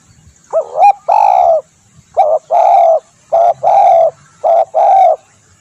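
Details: Spotted dove call for luring birds: three loud, mellow coo phrases, each a short clipped double note followed by a longer sustained coo, spaced about two seconds apart in a quiet setting.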